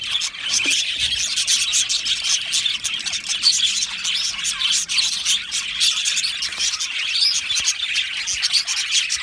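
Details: Australian budgie colony in an aviary, happy singing and chirping: steady high chattering and twittering from many birds, with scattered sharp squeaks.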